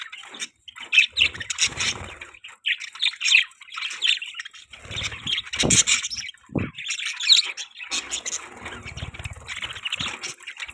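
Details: Budgies keep up a steady, grating chatter of buzzy chirps and squawks, with occasional sharper whistled notes and low knocking or flapping sounds scattered through.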